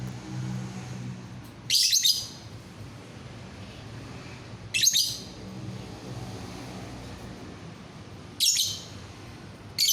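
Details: Lovebird calling to set other lovebirds singing: three short, shrill, high chirp bursts spaced a few seconds apart over a quiet, low background hum.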